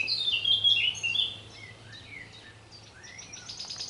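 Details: Common chaffinch singing in a garden in the afternoon: a bright, rapid burst of high notes, then softer slurred notes sliding downward, with a faint low hum behind.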